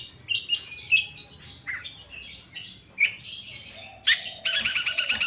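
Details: Kept Madura long-tailed shrike sings a varied mix of scratchy notes and short rising whistles, then ends in a dense, rapid buzzing chatter.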